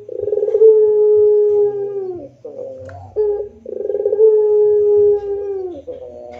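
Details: Two full rintihan phrases from a puter pelung barbary dove, each a fast fluttering roll swelling into a long, level, deep coo that drops away, separated by short softer notes.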